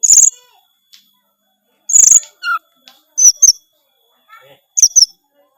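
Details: Oriental magpie-robin (kacer) singing in the full-isian gacor style: sparse bursts of buzzy high chatter separated by silences, with a short clear whistle and faint scattered chirps.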